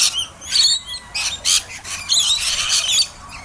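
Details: Rainbow lorikeets at a caravan park in Herberton, causing excitement: harsh, high screeching squawks in short bursts overlapping one another, with brief gaps between bursts.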